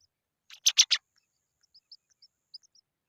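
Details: Baby pipit having a worm put into its mouth: three loud, harsh, broadband chirps in quick succession, then soft, thin high peeps scattered over the next two seconds.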